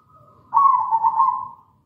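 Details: Singing local zebra dove used as a lure: after a soft lead-in, a loud bubbling coo of rapid pulsed notes runs for about a second and then fades, with faint low rumble underneath.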